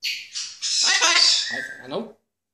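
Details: A pet blue-and-yellow macaw gives two harsh, scratchy squawks, then a raspy, voice-like stretch of imitated speech, apparently "high five", lasting about a second and a half.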